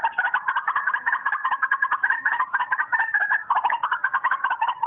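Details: Lure playback of white-breasted waterhen from a phone: a rapid, unbroken stream of harsh clucking and gobbling notes, pulsing several times a second, tinny and without deep tones.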